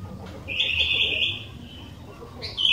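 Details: Sooty-headed bulbul singing briskly, a recording meant to coax other bulbuls into song: one drawn-out, fluty warble lasting about a second, then a short bright note near the end, over a soft low rumble.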